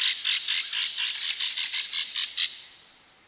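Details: Belted kingfisher from Wisconsin giving a loud, dry rattling call, a rapid series of harsh clicking notes lasting about two and a half seconds, then fading into quiet; no other sounds clear.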